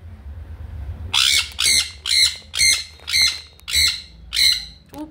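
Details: Pet sun conure screaming constantly: seven harsh, loud, grating screeches repeated at roughly half-second intervals after a second of quiet, with brief human speech before them.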